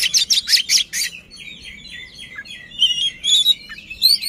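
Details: Oriental magpie-robin (kacer) singing while spreading its tail to provoke a rival: a burst of loud harsh chattering notes, then sliding whistles and twittering phrases, ending with rising whistled notes.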